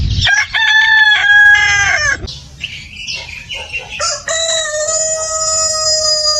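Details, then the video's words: Chicken farm roosters crowing: a loud stepped crow sliding down at its end, a stretch of clucking and scratchy calls, then a long, level, high harmonic crow from another rooster. "The Rooster's Crow: The Sound of a New Beginning"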